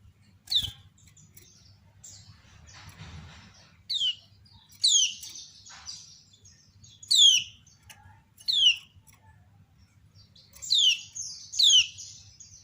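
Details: Female kecial kuning, a lemon-bellied white-eye, calls and draws answers from many others. Bright, high notes slur downward and come in scattered bursts every second or so, with a soft rustle near the start.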